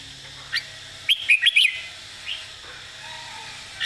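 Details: Red-whiskered bulbul singing an easy model song used to teach birds. A tight run of four loud whistled notes sits mid-clip, framed by single short chirps and a soft low whistle near the end.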